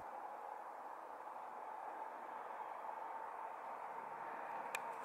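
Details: Quiet steady hiss with a faint continuous mid-pitched hum and one brief click near the end; no animal sound is heard.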